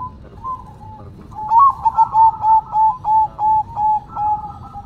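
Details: Zebra dove (perkutut) singing manggung: soft cooing at first, then a steady series of about eight rhythmic, bubbling coo notes repeated roughly every third of a second.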